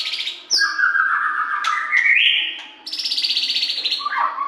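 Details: White-rumped shama giving loud song meant to spur captive birds into singing: a sliding whistled phrase that drifts slowly upward, then a high, rapidly trilled buzzy note and a final dropping whistle.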